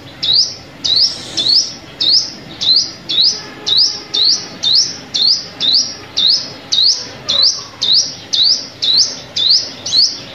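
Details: Sunbird lure call for trapping: a steady series of high, thin, upslurred chips, roughly two each second, about eighteen in all. The pattern is very regular, with only faint background noise.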